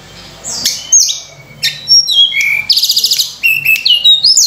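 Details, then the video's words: Sunda robin song meant as a lure for training songbirds, a rich varied sequence of high whistles, slurred upward and downward notes and rapid buzzy trills after a quiet start, with a faint background hum. "tledekan gunung gacor full isian mewah‼️untuk pancingan"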